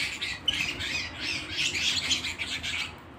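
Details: Singing canary at home delivers a short burst of loud, shrill chirps and rattling trills, with a sharp click near the start.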